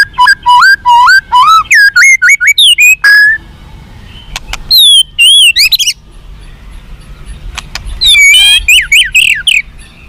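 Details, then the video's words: White-rumped shama song used to raise fighting spirit in captive birds: fast cascades of slurred whistles, a pause with a few ticks, a burst of high whistled notes, then more rapid rising whistles. "SUARA BURUNG MURAI BATU FIGHTER"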